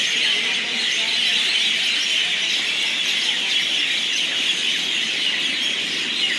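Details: Many mynas at a night roost at Pathankot railway station form a dense, unbroken chorus of chattering, squawking and whistling, a steady high-pitched roar with no pauses.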